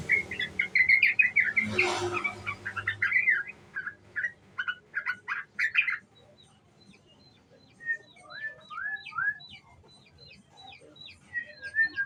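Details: Young sooty-headed bulbul used as a lure, singing in the ngriwik style. It gives quick, chattering chirps and short warbled phrases in bursts of several notes, then rising slurred whistles after a pause, with a brief rustle early on.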